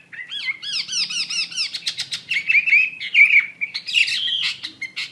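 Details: Chinese hwamei (wambi mandarin) in full song: repeated arching whistled notes, then dense rapid chips and bright trilled phrases.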